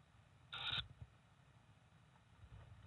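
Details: A single short, wheezy, rasping begging hiss from a tawny owlet, one of four in Estonia on 3 May, as a parent returns with food, over a quiet background with faint low rumble.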